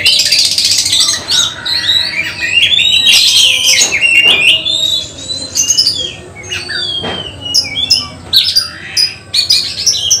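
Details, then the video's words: Oriental magpie-robin singing during a mental test in preparation for a songbird contest: a rich run of varied whistled phrases, slurred and rising notes mixed with sharp clicks, delivered rapidly with brief pauses. "Test Mental Kacer Persiapan Lomba Burung Berkicau"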